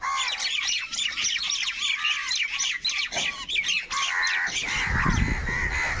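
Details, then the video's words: Crows calling over food while fighting for it; harsh, arched, hoarse caws repeat in quick runs over a dense, overlapping chatter of many birds, with a low rumbling noise near the end. "Crow bird unity anger and sound for food | Clear crystal crow bird crowing sounds"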